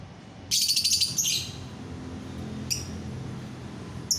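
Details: A lovebird bursts into loud, harsh, rapid chattering for about a second. Two brief high chirps come later. It is offered as a sound that makes other lovebirds join in, over a low steady hum.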